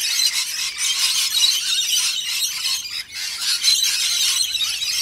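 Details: Many Australian Rainbow Lorikeets squabble over warm nectar mix with a dash of honey, producing a loud, continuous mass of high, scratchy squeals and screeches with a short lull near three seconds.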